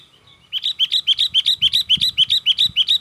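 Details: Sooty-headed bulbul singing in an excited, rapid style meant to draw in other bulbuls: a fast steady chain of about twelve identical chirpy, slightly upslurred notes, roughly four per second, with soft low thumps beneath.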